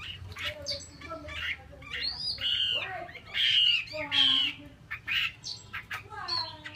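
A female Chinese hwamei gives harsh, rasping squawks and chattering notes at an uneven pace, with two louder grating bursts in the middle.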